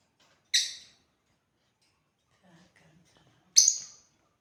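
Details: African lovebirds at play give two sharp, shrill chirps about three seconds apart, with near silence and a few soft low taps between them.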